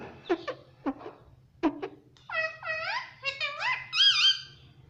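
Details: Pet Indian ringneck parakeet talking, asking its mother for roti: several quick clipped speech-like syllables, then a run of clear whistled, rising-and-falling tones ending in a high bright note.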